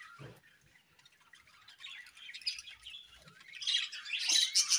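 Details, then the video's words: Budgerigars chirping in the morning: a busy, scratchy warbling chatter of mixed high chirps and squeaks that grows louder and denser toward the end, with a few soft low knocks early on. "Budgies' Morning Chirping Sounds"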